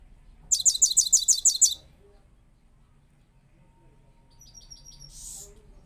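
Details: Goldfinch, a newly kept bird linked to Parachinar, singing powerfully in the rolling style: a short loud run of about eight sharp, very high repeated notes, then quiet, thin, drawn-out notes over faint low hum.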